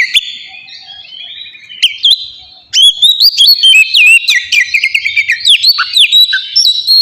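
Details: Oriental magpie-robin in ngeplong style, meant to prompt captive birds into full song: soft, quiet warbling at first, then a loud run of clear whistles, quick trills and bouncing chirps.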